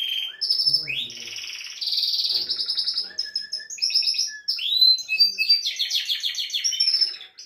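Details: Canary song for stimulating a female before mating: loud sustained trills, rising whistled sweeps and fast rattling rolls in an unbroken, varied stream.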